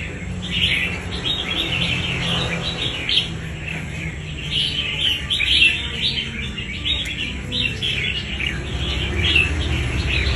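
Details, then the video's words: Red-whiskered bulbul, wild-caught and kept for fighting competitions, delivering a long series of sharp chirped and warbled notes in rapid runs, a steady low hum throughout. "Bổi đấu quá tố chất"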